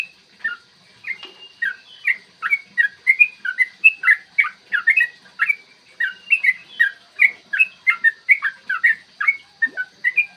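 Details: Yellow-vented bulbul pouring out long 'ropel' song, intended to provoke birds to sing and fight: dense, fluty chatter of short rising and falling whistles running without break for ten seconds.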